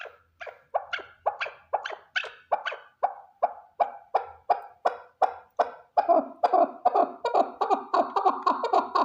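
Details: Male chukar partridge, a single bird, repeating harsh chuck notes at a steady pace of about three a second, the series growing denser and more excited in its final seconds.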